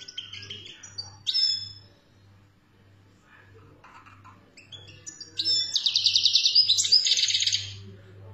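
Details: ['European goldfinch in Algeria singing khaloui style: a few sharp high chip calls, a quiet pause, then a fast rippling trilled phrase of buzzy high notes lasting over two seconds, over a pulsing low hum.']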